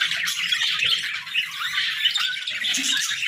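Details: Morning chatter from pet budgerigars: busy, overlapping high chirps and harsh squawks, with a few brighter whistled notes over a continuous warble.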